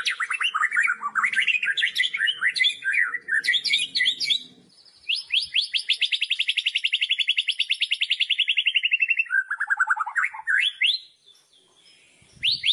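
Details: Loud "kretekan" song of a White-rumped shama (murai batu), meant to provoke rival shamas, pouring out varied whistles and rapid rattling trills, with a long fast run of repeated notes in the middle; no other sounds.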